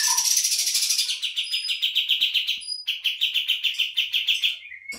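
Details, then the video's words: Kapas tembak bulbul lure song: a continuous high, rapidly pulsing trill of around five seconds, with only a brief break partway through. "pancingan burung kapas tembak"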